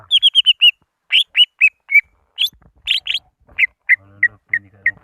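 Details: Greater green leafbird used as a lure to call rivals: a quick series of five bright whistled notes, then spaced slurred chirps and repeated short whistles, with a faint low hum in the background toward the end.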